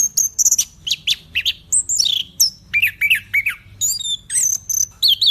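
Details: Orange-headed thrush singing energetically, mixing very high thin whistles with descending slurred notes and quick chattering bursts, phrases delivered in rapid succession with short gaps.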